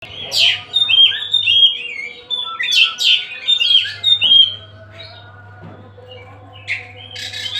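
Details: Oriental magpie-robin, the kacer Tasik, in free-flowing song. Bright whistles rise and fall and sweep between scratchy bursts, mostly in the first half. The second half grows quieter, with a steady low electrical hum underneath.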